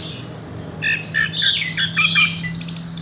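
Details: Horsfield's bush lark gives a busy run of chattering, stacked harsh notes and short whistles over a steady low electrical hum.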